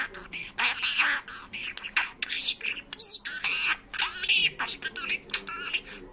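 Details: Parrot that talks and sings in Georgian, producing a rapid run of high, speech-like syllables with brief pauses and one sharp whistled note near the middle.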